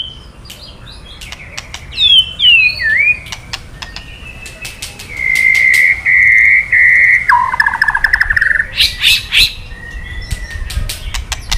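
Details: White-rumped shama kretekan for rousing male shamas: clicks, a swooping whistled phrase, then long sustained buzzy trills that drop in pitch before a harsh burst and softer whistles.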